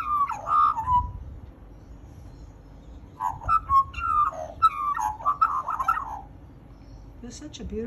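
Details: Fluty, slurred magpie phrases: a short opening burst, a pause of about two seconds, then a longer run of bubbling, rising and falling notes against a constant low hum.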